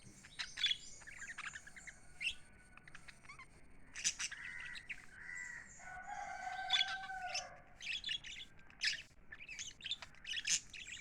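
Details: Happy pet lovebirds keep up chirping and twittering in irregular bursts, some harsher squawky notes and a longer lower drawn-out tone midway, over a quiet steady background.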